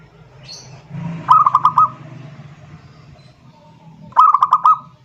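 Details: Zebra dove cooing to challenge a rival, two brief bursts of quick, evenly pulsed soft notes three seconds apart, over a steady low background hum.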